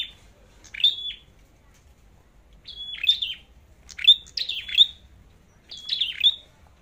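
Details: Competitive song of a red-headed flowerpecker being checked before heading to the forest: groups of shrill descending chips, each closing in a flat high whistle, with quiet gaps of about a second between bursts.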